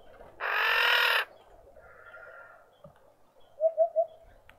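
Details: Female Red-winged starling with an injured, deformed beak in a suburban garden in Pretoria, South Africa: one harsh, grating, rasping note about a second long, then a soft triple cooing from another bird behind it.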